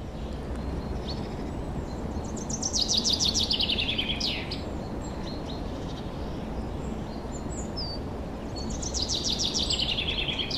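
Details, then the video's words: Forest birds in spring, 2023, sing loud cascading trills of quick high notes that tumble downward, one near the start and another near the end, with faint chirps and low background hum between. "Пение лесных птиц. Пение птиц."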